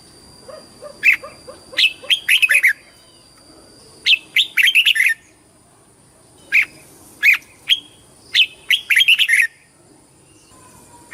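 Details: Red-whiskered bulbul in competition singing, short loud warbled phrases of quick bright notes repeated in bursts with pauses of one to two seconds, faint soft chirps beneath.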